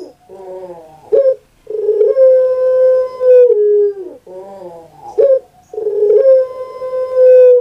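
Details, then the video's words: Two full coo phrases from a kept puter pelung dove: rolling, gurgling introductory notes and then a long, clear, drawn-out coo that slowly lowers in pitch, heard in a quiet setting. "KURANG AJAR BENER SUARANYA BIKIN PUTER PELUNG LAIN SAKIT HATI"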